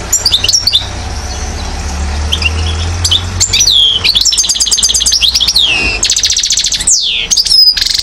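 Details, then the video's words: A one-year-old European goldfinch from Mouzaia, Algeria, 2012, delivers varied twittering song: scattered high notes, then fast rattling trills, long falling whistles and buzzy bursts, with low rumbling background noise early on. "chardonneret acrobate 1 an.. (Mouzaia موزاية) Algeria 2012"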